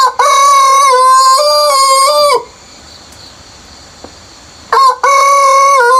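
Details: Rooster crowing before sunrise in the countryside: a long loud crow stepping up in pitch and held for about two seconds, a quiet gap with faint background sounds, then another crow beginning.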